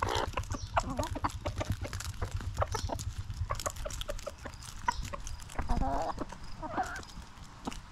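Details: Backyard hens cluck in scattered, sharp bursts of varying loudness, with a drawn-out, wavering squawk late on and a faint low hum throughout.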